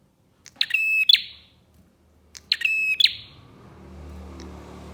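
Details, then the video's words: Two loud bursts from a bar-winged prinia, played as a lure for other prinias: quick clicking ladders broken by shrill tonal chirps, followed by a steady hiss. "PANCINGAN BURUNG PRENJAK GACOR"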